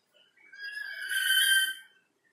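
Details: Behind a window, a black-capped lory gives one long, swelling whistle with layered overtones, rising in loudness before fading out after about a second and a half.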